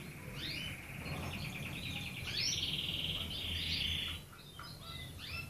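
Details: Red canary song of fast repeated trills and rising whistled notes over a low background hum.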